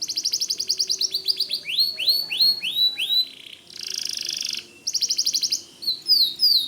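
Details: Nonstop white canary song alternating rapid trills, a string of down-slurred whistles, a dense buzzing roll and further quick trills, with high rising notes at the end.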